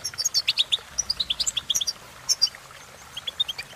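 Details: Singing goldfinch: a burst of clear, rising whistled chirps and tinkling notes in quick succession, a short pause, then a few more rising notes; quiet background.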